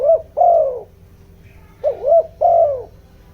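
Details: Spotted dove decoy bird in the giọng đồng voice style, cooing to provoke wild doves: two low, mellow phrases, each a short hooked note followed by a longer downslurred coo, about one and a half seconds apart.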